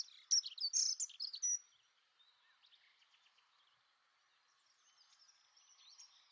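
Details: Dunnock, Prunella modularis, gives a short loud burst of hurried high warbling notes for just over a second, then only faint distant bird notes in quiet surroundings.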